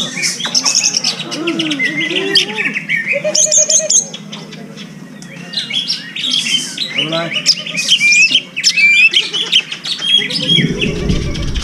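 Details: A greater green leafbird, a contest songbird, sings a rich, fast medley of whistles, chirps and buzzy notes, with mimicked phrases, over a low background hum.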